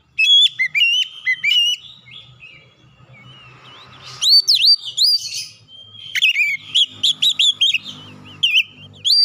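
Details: White-rumped shama singing, used to stimulate a stressed bird into song: varied whistled phrases mixing rich slurred notes and high chips, in irregular bursts with quiet gaps and faint low background hum.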